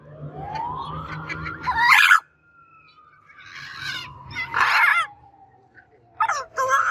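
Macaw giving three loud, harsh, raucous squawks a couple of seconds apart, over a long siren-like wailing tone that rises, then slowly falls.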